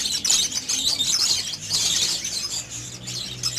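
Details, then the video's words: Pairing budgerigars chatter in a constant stream of thin, high twittering and squeaky notes, with a faint low hum underneath. "Budgies Mating in 5 Minute"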